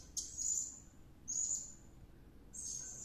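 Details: Serindit (blue-crowned hanging parrot) in lively song after luring: three drawn-out, very high shrill whistles spaced about a second apart.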